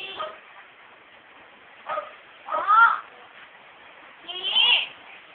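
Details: A pet female myna mimicking household speech gives four harsh, speech-like phrases over five seconds, with nasal rising and falling tones between pauses.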